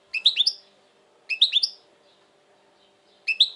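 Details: European goldfinch recorded in 2020, described as very tense at present, gives short clusters of three liquid, bouncy chirps about once every second or two, with quiet gaps between.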